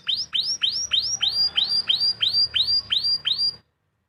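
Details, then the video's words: Canary singing after its moult, not yet in full song; a run of about eleven rapid, identical upward-sweeping whistled notes, roughly three per second, ending abruptly. "suara burung kenari pasca mabung.."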